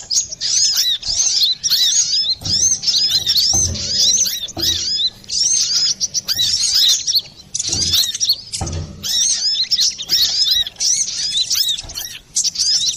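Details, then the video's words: Lure song of a lively brown-throated sunbird, clear-toned, used for trapping or as therapy for caged birds that stop singing: dense bursts of high, thin chattering and looping notes, broken by short pauses and faint low thumps. "Pancingan burung Kolibri Klapa ribut,suara jerni"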